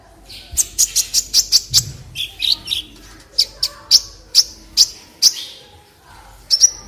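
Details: Olive-backed sunbird (kolibri ninja) song used as a clear masteran tutor recording for training other birds: sharp, very high chirps repeated in quick bursts, with a short buzzy descending phrase midway and spaced piercing notes after.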